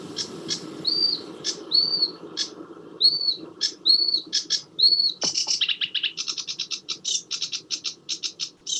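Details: Sedge warbler (Acrocephalus schoenobaenus) song, jazzy with changes in tone, pace and pitch and some mimicry: high dry ticks broken by clear whistled slurs, then a fast run of rattling, buzzy repeated notes.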